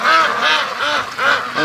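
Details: Free-range domestic ducks from a flock of over 650, rushing to the lake in the morning; loud nasal quacks repeat about every half second, with harmonic bands and a babble of other ducks behind.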